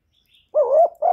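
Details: Spotted dove cooing, recorded cleanly for stirring other doves to call. A rough, wavering coo rises slightly and then breaks into a second note that starts just as the clip ends.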